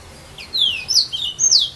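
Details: Serin from filao trees at Saint-Philippe, Réunion: a brief phrase of high, clear whistles, one long note sliding downward followed by two bright, falling slurs.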